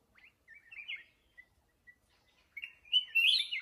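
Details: Red-whiskered bulbul, a wild-matured adult from Ho Chi Minh City, Vietnam, starts with soft scattered whistles and single notes, then builds to a louder, bubbling warbled phrase at the end.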